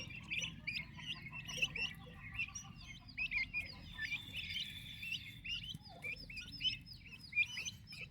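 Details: Fast-growing turkey chicks with their mother, many thin high peeps, some longer drawn-out whistled notes among them, quieter stretches between clusters, soft low hum underneath.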